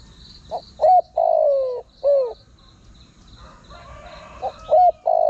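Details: Spotted dove call meant to bring wild birds closer for trapping: soft coos in a phrase of brief notes followed by a long sagging croon and a falling note, then the next phrase beginning, with a faint high hum.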